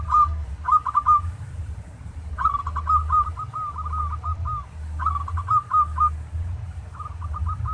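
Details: Training song in the tarik style by a local zebra dove: several separate phrases, each starting with a bright burst and trailing into a rolling chain of soft coos, repeated every couple of seconds over a low hum.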